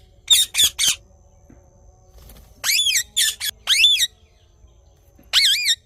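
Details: Shrill squawks of a rose-ringed parakeet in the morning: a fast triplet, then a group of longer wavering screeches, and a final drawn-out call after a pause.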